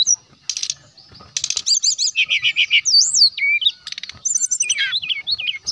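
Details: Jungle flycatcher with a brown chest, singing loudly to call out rivals: harsh broadband bursts alternate with fast looping whistled phrases and a run of repeated buzzy notes, busy and uneven throughout.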